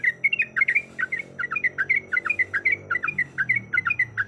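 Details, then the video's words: Yellow-vented bulbul female in breeding condition calling a male with a long, rapid string of bubbly, slurred chirps repeated in quick succession, over a soft low rumbling background. "Suara Ropelan Trucuk Gacor Yang Ngotot Memanggil Lawan"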